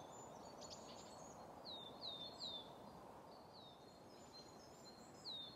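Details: Coal tit song from Grandungen, Ryggisspåret, Haga, 10 March 2024, with several birds active: faint, high descending whistles in short runs of two or three, partly masked by continuous low environmental noise.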